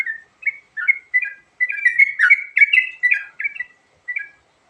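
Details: Yellow-vented bulbul varied song used to lure birds: spaced bubbly notes that crowd into a fast, denser burst in the middle, then slow to a few separate slurred chirps at the end.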